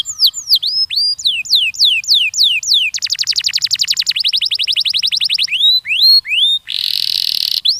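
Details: Canary song used to prompt young birds into singing: series of loud down-slurred whistles, then rapid even trills, more downward sweeps, and a harsh buzzy burst at the end.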